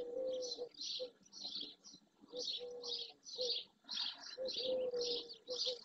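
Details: Barn swallows in early June, dozens of them and many juveniles, flock beside the marsh at Doñana National Park, Andalusia, Spain. Clusters of high chirps come in quick bursts about twice a second, over steady lower drawn-out tones.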